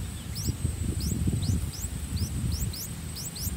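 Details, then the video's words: Three-day-old streak-eared bulbul chicks being fed by both parents in a nest in a water jasmine tree in front of a house; thin, high, rising chirps repeat in quick bursts over a low rumble of wind and handling noise. "Streak-Eared Bulbul Feeding Their Chicks In The Nest"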